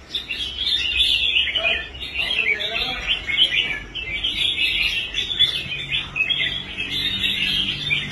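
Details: Caged red-whiskered bulbul, bought after giving up competing and brought back to form, singing strongly on the stand: continuous busy warbling and chirped phrases, with faint human voices briefly underneath.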